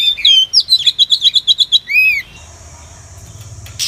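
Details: Female Oriental magpie-robin call used as a lure to trap wild birds: a rapid run of about a dozen clear, even whistled notes, then one downward-curving slur, followed by quiet with a faint steady hum.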